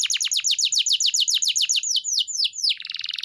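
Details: Canary song for training a pet bird to sing: a quick series of clear descending sweeps, slowing and flattening, then switching to a fast buzzy trill.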